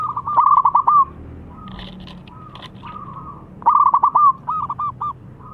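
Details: Zebra dove of local stock, strong-voiced, used as a lure: two stuttered cooing phrases, each a rapid cluster of short notes and a trailing coo, separated by a pause with soft clicks and low hum.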